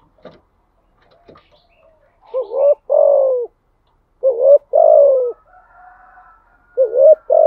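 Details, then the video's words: Spotted dove cooing in the thúc gù style: clear, low, hollow coo phrases, each a short rising note followed by a longer rolling coo, repeated about every two seconds in a quiet setting. "Tiếng chim cu gáy bài bản THÚC GÙ"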